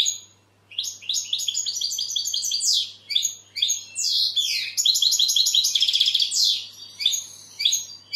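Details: Continuous goldfinch song: a busy stream of bright tinkling notes, twitters and downward-sliding buzzes running almost without a break, over a low steady hum.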